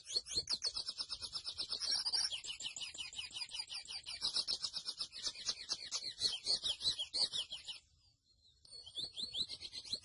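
A grey seedeater sings a fast, continuous run of high, bright chirps and trills that barely pause for eight seconds, then resumes after a brief silence.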